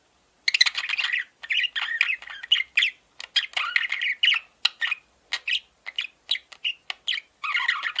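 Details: Male pet parakeet chirping and warbling after a half-second of silence, a long sequence of short scratchy notes and whistled chirps coming in quick, uneven bursts.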